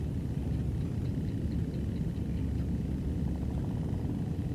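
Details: A continuous low engine rumble, like an idling vehicle, runs throughout with no animal sounds audible.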